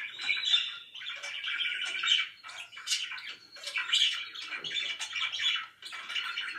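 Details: Pet budgerigars chirping together in a dense, somewhat quieter warble of overlapping squeaks and chatter, with brief pauses between bursts.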